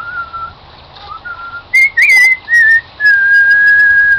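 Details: Cockatiel singing "Song of the Garden" with its live band: level whistled notes, a loud rising-then-falling phrase, then one long held tone lasting over a second.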